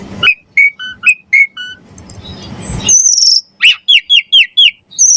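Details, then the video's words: Javan pied starling singing gacor with varied isian, for training songbirds and luring starlings: clear whistled notes repeated in a quick series, a faint rushing hiss, a high drawn-out whistle, then a run of bright falling whistles. "Suara Jalak Suren Gacor Mompa Variasi Isian Mewah Cocok Buat Masteran & Pancingan Burung Jalak"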